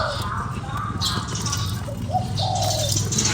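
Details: Spotted dove call for stimulating a decoy bird, arriving late as two short coos and a longer sliding note, after a stretch of low rumbling noise and faint voice-like murmurs.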